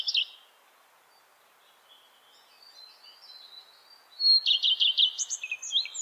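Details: Singing Common Redstart: a brief end of one phrase, a quiet stretch with soft hiss, then a full strophe of a clear whistle leading into hurried, scratchy repeated notes and high chattering.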